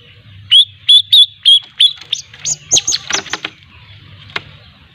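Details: Lampung long-tailed shrike practising the 'ngriwik' style as a lure song: five clear whistled notes with a slight upward twist, then a tumble of harsher, scratchy chirps and a final sharp click.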